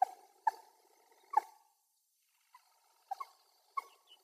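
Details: Wild common moorhen recorded with a Sony FDR-AX100 camera: three sharp, short clucking notes in the first second and a half, a pause, then a few softer, clipped clucks near the end, with no other clear sounds.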